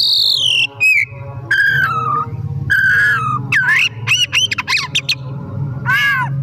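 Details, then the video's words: Afternoon song of a kacer, or Oriental magpie-robin: a falling whistle, harmonic-rich downslurs, then rapid looping and flicking notes in quick succession over a low background hum. "Burung Kacer Gacor || Bahan Istimewa Pancingan di Sore Hari"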